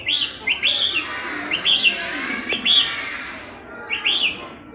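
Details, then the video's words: Red-whiskered bulbul raised by hand from a young age gives clear, rising-then-falling whistled notes in quick bursts, several phrases within a few seconds, against faint background noise. "chim chào mào thuần từ nhỏ"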